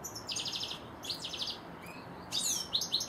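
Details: Two European goldfinches in a garden produce short rapid trills of bright, repeated high notes, a brief pause, then a sweeping twitter and more quick tinkling notes.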